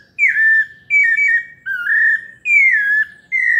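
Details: Clear whistled song of a São Paulo pale-breasted thrush, melodious phrases that descend or swell, separated by short silences, in a quiet setting.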